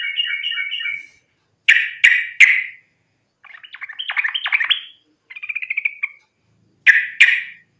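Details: Lure recording of a yellow-vented bulbul's fighting rapid song: a bubbly trill, three sharp burry chirps, a rattling chatter, then another trill and two more loud chirps.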